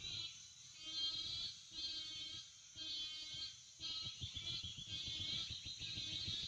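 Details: Wading birds calling at a Florida bird colony at sunrise: nasal, harmonic, drawn-out bleating calls of about a second each, several birds overlapping with short pauses, over a steady high hiss.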